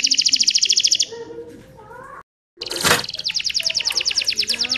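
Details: Canary song for prompting other canaries: a rapid, even trill stops abruptly, a brief dropout and a sharp click follow, then a fresh fast rattling trill repeats steadily to the end.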